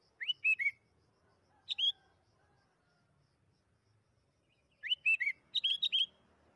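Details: Sooty-headed bulbul song for prompting bulbuls to sing fast: a three-note liquid whistled phrase, a short two-note call, a long pause, then the same phrase again followed by a rapid run of chirpy notes.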